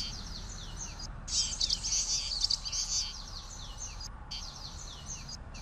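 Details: Common waxbill, small estrildid finch of sub-Saharan Africa commonly kept in captivity, giving a short loud buzzy chattering burst of high notes flanked by softer repeated down-slurred chirps at a brisk pace.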